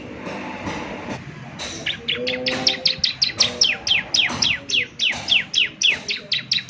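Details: Ciblek semi singing strongly, intended for morning playback: after a soft start, a steady series of sharp descending high chirps at a regular pace, with faint lower sounds behind.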